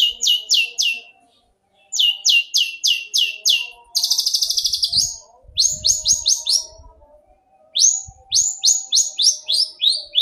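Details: Captive-bird training song of a long-tailed shrike: groups of crisp, steeply falling whistled notes at about three per second, broken by pauses and one fast buzzing trill, with soft low murmurs in the background.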